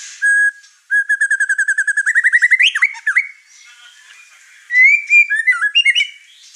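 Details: Over-excited caged white-rumped shama whose singing stirs up other birds in the house: a fast series of repeated whistled notes slowly rising in pitch, ending in a sharp upward flourish, then a pause and a varied warbling phrase.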